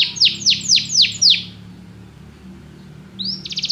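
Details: Singing canary: five quick high downward-sweeping whistles, a brief pause over a low steady hum, then a rising note leading into a rapid buzzy trill.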